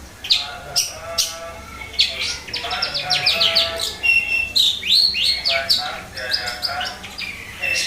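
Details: Long-tailed shrike song: a busy, unbroken stream of sharp chirps, quick rising and falling slurs and buzzy trills, densely packed over a constant background hiss.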